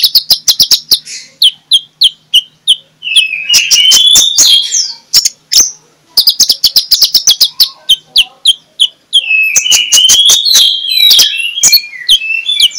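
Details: Morning magpie-robin song used to lure other magpie-robins: fast rattling series of sharp notes alternating with long, rich whistled and warbled phrases.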